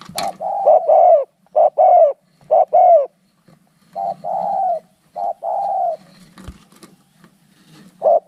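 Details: Spotted doves fighting each other: quick overlapping coos in pairs, then slower, longer level coos, with a click and a final loud coo.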